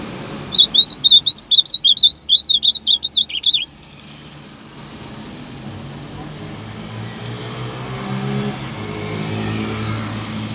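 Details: Steady song of an ultramarine grosbeak, a quick three-second string of bright, high warbled notes rising and dipping in pitch. Then the bird falls silent and low rumbling road traffic and a passing car fill the rest.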